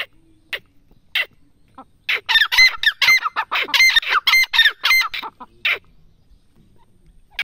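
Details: Grey francolin call building from a few scattered harsh notes into a fast, excited burst of rasping, whistle-tipped phrases, several per second, then tailing off into isolated notes.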